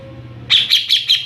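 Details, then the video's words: Greater green leafbird, ngeplong style, bursting into a brief rapid high-pitched warbling trill of four pulses, over a soft low hum. "Burung cucak ijo NGEPLONG2.."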